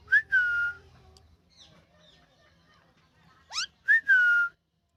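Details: Happy rescued ringneck parakeet kept as a pet in India gives a long, steady, pure whistle after a quick upslide, then sharp rising squeaks and a second matching held whistle, with quiet room hum early on.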